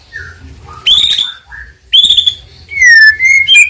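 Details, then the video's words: White-rumped shama (murai batu), a Medan bird, song meant to provoke other birds into singing: scattered clear whistles, a loud harmonic-rich phrase, then long steady whistled notes with quieter gaps between. "100% Ampuh mancing emosi Murai Batu Gacor"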